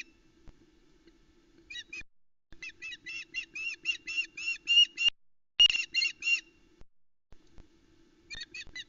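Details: Osprey female calling at Loch Arkaig nest, Scotland, 17 July 2020, during a fish delivery by the male; yelps start sparse then build into a fast string of shrill whistled notes, ending with a louder burst and a few scattered notes.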